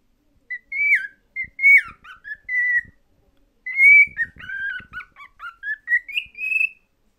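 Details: Pet cockatiel singing while watching itself in a favourite mirror that is shown and hidden; a run of clear whistled notes, some rising and falling, in two bursts with a short pause between.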